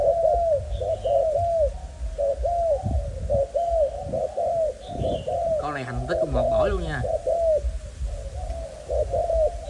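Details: Captive spotted dove, Malaysian line, one of a pair of males: continuous low arched cooing in short-long couplets, with a man's voice breaking in midway and faint distant chirps.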